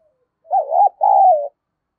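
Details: Spotted dove giving a fight-provoking coo used to lure wild birds: two low mellow phrases, a wavering warbled coo followed by a longer steady one sloping down at the end.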